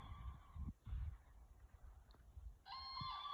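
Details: Crane calling, two loud harmonic trumpeting notes with a nasal, rolling tone, one at the start and one near the end, separated by low rumbling background noise and a few soft knocks.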